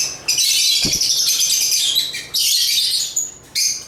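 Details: African lovebirds (Agapornis), more than one, giving a continuous stream of shrill, high-pitched chirping chatter for about two seconds, then a short break, then more bursts of the same harsh twittering.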